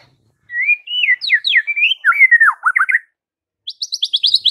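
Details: Morning white-rumped shama song to draw replies from rivals: a smooth rising whistle, sharp down-slurred notes, a run of looping warbled phrases, then after a short gap a rapid high trill of repeated chipping notes.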